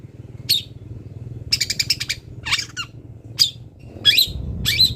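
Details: Long-tailed shrike in the wild, recorded as training material for songbirds, giving scattered sharp chirps and a rapid rattling trill of clicky notes with a few buzzy downslurred calls, over a steady low hum.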